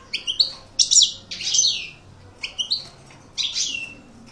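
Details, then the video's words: European goldfinch, an aggressive-style coupleur singer of the maknine song type, delivering high bright twittering phrases with sharp chips and buzzy trills in separate bursts over a faint indoor hum. "Chant maknine Chardonneret Coupleur Agressif"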